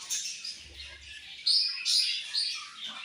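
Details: Several colorful budgies in a chattering chorus, high rasping twitters punctuated by a few sharp, louder chirps in the second half, steady overlapping calls throughout.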